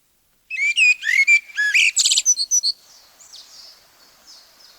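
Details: Common Blackbird singing in the forests of Wielkopolski National Park, Poland, from a 1990 recording. A quick phrase of clear whistled notes ends in a high, squeaky twitter. A faint echo fades out in the quiet afterwards.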